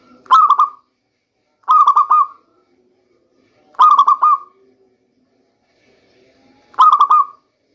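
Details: Four quick stuttered coo bursts from a local zebra dove, spaced one to three seconds apart, each a tight run of bubbling notes at a steady pitch. The recording is used as a lure in the rainy season.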